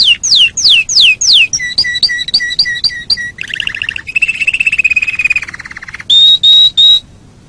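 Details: Canary song used for training songbirds: four descending whistles, a series of paired chipping notes, a buzzy trill, then three piercing high whistles before quiet.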